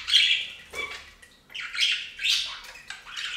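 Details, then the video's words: Budgies bathing on a fountain give loud, harsh squawking chatter in several separate bursts, with brief pauses between, and a low thud near the first second. "Best Budgie Bath EVER! + Budgie sounds"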